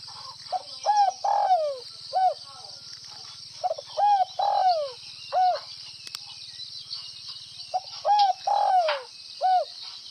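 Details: Spotted dove from Northwest Vietnam in the gáy gù (bo) cooing style: soft, low cooing phrases of three to four notes, the longest slurred downward, repeated about every three seconds over a steady high insect drone.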